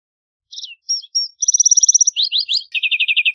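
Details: Lark sparrow song: scattered high notes, a long rapid trill, down-slurred chips, then a lower fast rattling trill of about ten notes. Quiet background.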